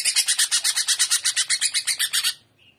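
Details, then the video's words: Greater green leafbird in trotolan style, gacor and udang style: a harsh, rapid rattle of broad scratchy pulses, about seven per second, lasting over two seconds and ending in a faint soft note. "TROTOLAN CUCAK IJO Paud JAHAT FULL JAMTROK GACOR GAYA UDANG"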